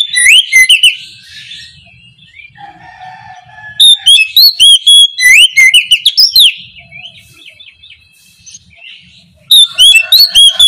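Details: Oriental magpie-robin (kacer) singing loudly and openly in the morning in ngeplong style, used as a lure song to prompt idle birds to answer: bursts of rapid, loud, rich whistled notes sweeping up and down, separated by quieter stretches with faint distant chirps.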